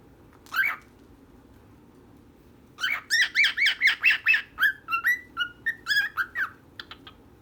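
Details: Indoor pet birds, a female and a male: one lone chirp, a pause of about two seconds, then a rhythmic string of about a dozen clear chirps, ending in a few faint ticks.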